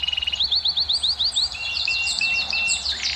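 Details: Canary song for stimulating females to mate: a quick string of sharp rising whistled notes, about eight in a second, followed by a jumbled, higher warbling flourish.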